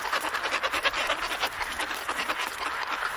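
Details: Close-range calls between a pair of Antarctic petrels in their colony at Scullin Monolith, Antarctica: rough, rasping chatter in quick irregular pulses, loud and continuous throughout.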